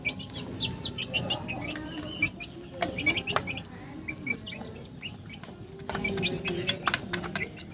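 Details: Chickens giving funny calls: scattered short high peeps and chirps, loosely spaced, with sharp clattering clicks and a constant low background rumble.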